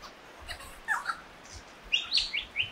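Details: Lyrebird song: a few short high chirps and whistled notes, then a louder burst of bright, warbling phrases near the end against a quiet background.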